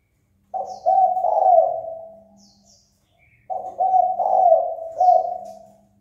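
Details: Spotted dove giving its fight-provoking call: two long, multi-note coo phrases of rolling, throaty hoots run together, about three seconds apart, over a low background hum with a few faint high chirps.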